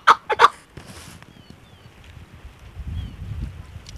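A chukar gives three quick, harsh clucking notes at the start. After that come only low rumbling background noise and a few faint distant whistles.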